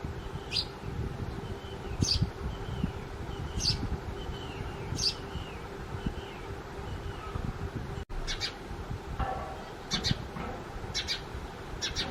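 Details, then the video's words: House sparrows that have quickly occupied a cardboard nest box give sharp, bright single chirps about every one and a half seconds, with faint whistles from another bird and a steady low rumble behind. "Sparrows Chirping Sounds"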